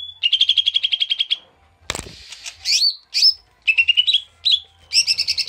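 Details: Koto or cucak mini bulbul in an agitated ngamuk song used as a lure. It opens with a rapid run of about a dozen quick chattering notes, then a sharp click, then scratchy and whistled phrases.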